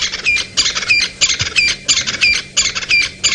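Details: Crested francolin at dawn (about 6 AM, 5 September 2017) at Djuma, Sabi Sand, near Kruger Park, South Africa, crossing a road, gives loud, harsh, scratchy rattling notes in quick paired bursts, about one and a half per second, steady throughout.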